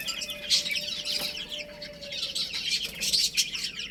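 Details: Young chickens chirping while playing, a steady stream of shrill, short peeps from several birds, rising and falling in loudness.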